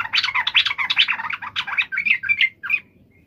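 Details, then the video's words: Fast, harsh, jumbled chattering from a yellow-vented bulbul in a provoked fighting mood, easing into a few clearer whistled chirps at the end over a low background hum. "trucukan gacor CUK EMOSI NGALAS TARUNG ROPEL ini MENJADIKAN agar burung trucuk gacor NYAUT SEKETIKA"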